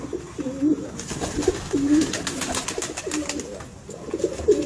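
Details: Red Indian Fantail, a fancy pigeon breed, cooing steadily: low, rolling coo notes repeated roughly every second in a regular series, with faint tapping and clicking noises in the background.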